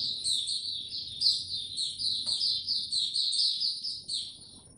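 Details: Captive Oriental white-eye opening into song, recorded 2 May 2022: a fast run of high, thin chirped notes strung together into a continuous twittering warble, with a faint low hum behind it.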